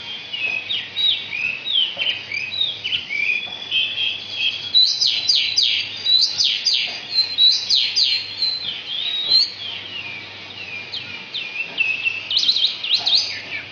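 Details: Asian pied starling singing with mimicked magpie-robin and canary phrases: a fast, varied stream of high whistles, chirps and sharp downslurred notes, continuous for the whole stretch, over a faint low hum.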